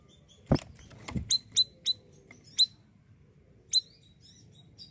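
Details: Actively singing siri-siri bird, recorded as a tutor for other songbirds: two dull thumps open, followed by a handful of clear high chirps at irregular intervals, then a few fainter notes.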